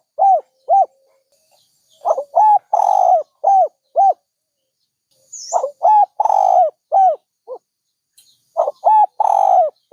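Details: A dove calls with a short pair of coos, then full phrases: a breathy lead-in, twin coos, a long sliding coo and clipped final notes, repeated with pauses of about two seconds.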